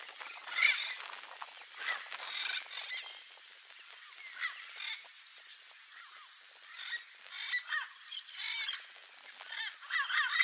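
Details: Wild turquoise-fronted amazon vocalizing in its natural Brazilian habitat: harsh, raspy squawks at irregular intervals, some in quick pairs or overlapping, loudest near the start and toward the end, over a steady high hiss.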